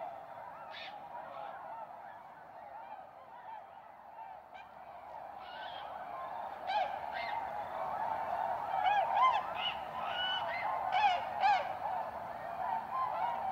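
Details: Spring gathering of tundra swans at Goose Pond in south-central Wisconsin, USA, March 2016; a constant babble of many honking birds, growing louder midway as sharper, higher bugling calls burst out in quick clusters.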